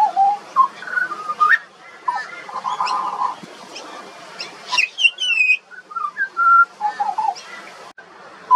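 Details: Juvenile pied butcherbird singing a long, varied Australian song of fluted whistles, a buzzy patch, high looping downslurred notes and then lower mellow phrases, with brief gaps between the phrases.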